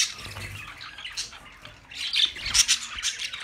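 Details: Budgerigar sounds begin soft and scratchy, then swell into louder bursts of high chirps and squeaks in the second half.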